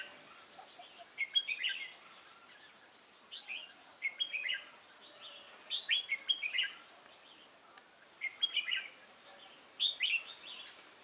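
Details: Caged, wild-caught Red-whiskered bulbul doing duel singing, recorded 22 October 2018. Five loud, bright, warbled phrases of three or four rapid whistled notes each come about every two seconds, with quiet hiss between.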